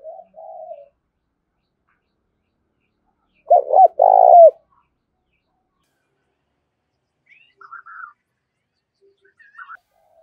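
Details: Decoy spotted dove calling briskly to lure wild birds. One soft low coo, then a single loud phrase of clipped notes running into a long husky coo. Later come long quiet gaps with a few faint higher chirps.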